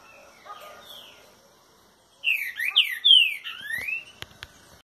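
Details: Green-winged saltator in boiadeiro-style song at 6:30 in the morning: a rich phrase of quick whistled downslurred and upswept notes after two seconds of near silence, followed by faint clicks.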